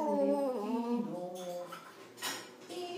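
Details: A hand-reared talking hill myna (Gracula religiosa religiosa) in Arezzo, Tuscany, gives a voiced, speech-like Italian phrase lasting about a second and a half, wavering and falling in pitch, then a soft breathy note and a sharp click.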